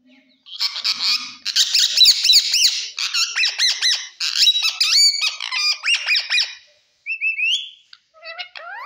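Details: Green parrot kept as a pet, talking in a fast stream of raspy, nasal syllables with swooping pitch, tapering into a few short isolated squeaks after a pause.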